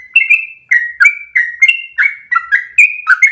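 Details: Yellow-vented bulbul singing an energetic ropel tutor song; warbled, slurred whistles follow one another closely, alternating high and lower notes in a chattering, continuous phrase.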